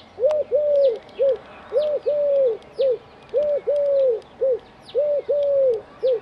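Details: Eurasian collared dove calling from an antenna in Dzierżoniów: soft hooting phrases of three notes, the middle one longest, repeated four times in quick succession, with thin high chirps from other birds audible behind.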